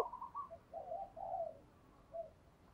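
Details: Brief cooing of a spotted dove decoy luring wild birds: a few low, muffled hooted notes over a hissy background.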